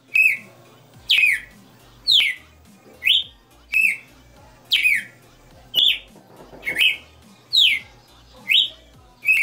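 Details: Red-cowled cardinal, caged, singing a long varied melody: a steady run of about ten short whistled slurs, alternating falling and upslurred notes roughly once a second, over soft background noise.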